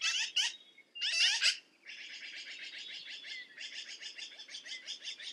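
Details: Black-billed magpie with two short loud grating bursts, then a long continuous rapid rattle of harsh, scratchy pulses with a few squeaky notes mixed in.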